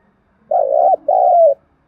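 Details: Spotted dove coo played as a training lure for decoy birds: a throaty undulating phrase, a short pause, then a steadier prolonged note easing lower, in near silence.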